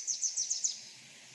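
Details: Chipping Sparrow trilled song: a run of dry, very high notes packed so close they near a buzz, fast and mechanical without a ringing quality, lasting under a second before quiet.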